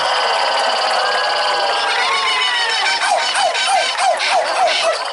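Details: A female laughing kookaburra at the New York Renaissance Faire on 18 September 2021, encouraged by the crowd, gives a run of quick, rolling, chuckling hoots, about three or four a second, over loud audience applause and laughter.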